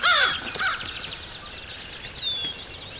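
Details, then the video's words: An American crow calls close-up beside a blind in Shiawassee County, Michigan, on 11 May 2014, puffing up as it gives a loud, harsh caw, then a shorter, rougher second caw; a faint high whistled note follows. "Crow Calling"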